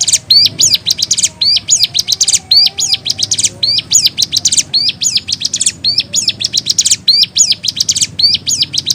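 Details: Caged hill prinia singing a lively, varied song: rapid high, thin, sweeping notes and trills in quick bursts, repeated roughly once a second with short gaps, loud and close, over a faint low background hum.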